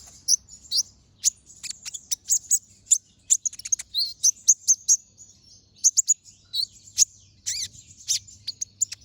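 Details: Vigorous ngobra chatter from a brown-throated sunbird, used as a master recording for other birds: a dense, continuous stream of very high, sharp tweets and slurred squeaks, with brief pauses between bursts.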